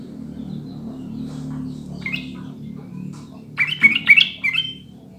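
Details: Sooty-headed bulbul song used to stimulate caged birds to sing: after a quiet stretch of low hum, one lively phrase of four or five quick, bright whistles bursts out near the end.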